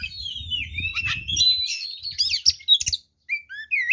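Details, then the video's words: Oriental magpie-robin fighting song meant to anger rival birds; a long wavering whistled phrase over low rumbling background noise, then rising sharp notes and short clear whistles. "SUARA BURUNG kacer gacor TARUNG FULL ISIAN ini PALING AMPUH MEMANCING KACER LAIN JADI EMOSI"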